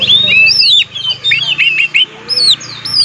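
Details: Oriental magpie-robin lure song, played to provoke other magpie-robins: clear loud whistled phrases, arched and downslurred notes in short bursts separated by brief pauses, over a faint low hum.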